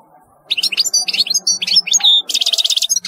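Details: Bright, fast twittering from a European goldfinch, mixing slurred chirps with a pure whistle, then a harsh buzzy rattle and more twitters.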